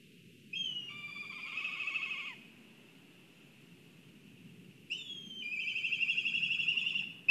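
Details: Black kites at a nest in Kurzeme, Latvia, on a live nest camera during excitement at the nest: two somewhat quieter whistled, trembling whinny phrases, with soft low background rumble between them.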